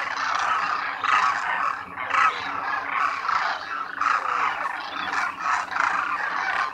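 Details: Demoiselle Cranes, known locally as Koonj, in a large winter flock at the lake in Khichan, Thar Desert; rough, croaking trumpets from many birds rise and fall in irregular bursts, close to one per second.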